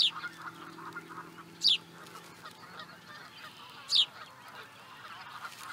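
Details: Osprey recorded in Charlo, Montana, USA, 2017, giving brief, piercing downslurred whistles, three of them about two seconds apart, against quiet background rumble and faint murmuring.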